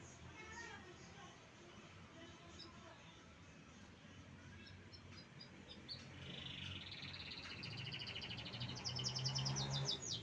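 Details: Canary song building from scattered chirps into a rapid, bright, rattling trill during the last few seconds, over steady low background hum.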